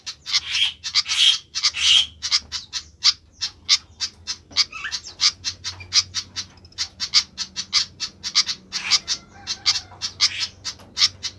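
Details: Flycatcher calling noisily: harsh, buzzy notes pour out in a quick, nearly continuous series, loudest at the start, then settling into a steady scratchy rhythm with a faint hum beneath.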